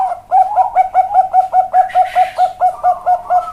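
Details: Bangkok-type zebra dove, a perkutut with a big voice in cowong style, delivering a steady, even series of short hooked coos at roughly two or more per second, with a soft rustle in the middle.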